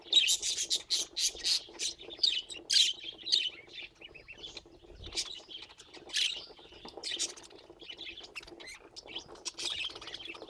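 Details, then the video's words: Several pet budgerigars chattering: a busy opening burst of sharp clicks and high chirps that thins into softer, scattered warbling notes, then picks up again with bright chirps toward the end. "Laughing Budgies"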